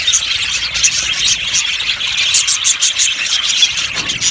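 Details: Aviary colony of yellow budgies chattering. High chirps and warbling squeaks overlap densely, with bursts of louder calls near the middle and a low rumble underneath.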